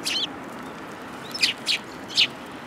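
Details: Sparrows, Eurasian tree sparrows, come to be fed at a Tenmangu shrine in January 2022; one opening chirp is followed by three spaced, short high chirps against a soft background rumble.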